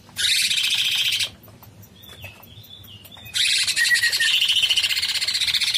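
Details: A bulbul (cucak cungkok) in full song, used as master song, "long shots": two dense, buzzy, rapidly chattering bursts of high notes, with a single thin whistled note held briefly in the pause between them.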